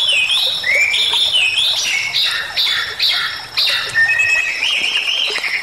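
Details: Bali myna in energetic song meant as a training recording for songbirds, with loud whistled notes that slide up and down, sweeping phrases and harsh squawky notes close together.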